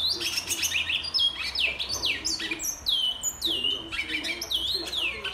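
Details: Black-and-white seedeater, recorded 21 February 2022, whistling a fast series of clear, sweet downslurred whistles, each dropping sharply from high to lower pitch, repeated in quick succession with brief trills between.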